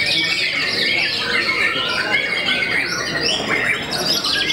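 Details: A white-rumped shama, said to make many opponents go quiet, sings a busy run of high chattering phrases mixed with short clear whistles and downward-slurred notes.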